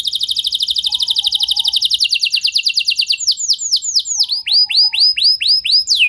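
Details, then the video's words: Canary song meant to spur other canaries into long singing: a very rapid, even high trill shifting into slower, louder arched downward-swept notes repeated about twice per second. "Bakal Terpancing Jadi gacor Panjang Burung Kenari Lain Segala Kondisi! Ikut Gacor Pasti Ngeplong"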